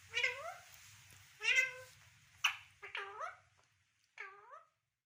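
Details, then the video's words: Pet talking parrot giving four nasal, harmonic calls that bend upward, each about half a second, separated by pauses in a quiet indoor room. "Funny Talking Parrots"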